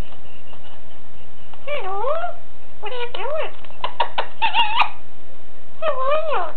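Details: A pet female Alexandrine parakeet chattering to a phone, which she loves to talk on; wavering, rising-and-falling squawky vocal phrases in short bursts with gaps between, clipped and loud indoors.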